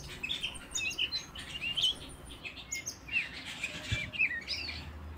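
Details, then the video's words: Canary song: bright, high chirps and short whistled slides overlapping in a busy chorus of several birds, with a soft low hum underneath. "Canary Singing"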